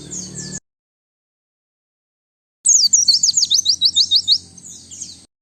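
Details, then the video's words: White-eye song used for bird luring, in a clean recording. A brief high warble, a long pause, then a rapid series of about a dozen sharp, repeated high notes trailing into softer twitters. "Suara Pikat dan Master Kicau Burung Pleci"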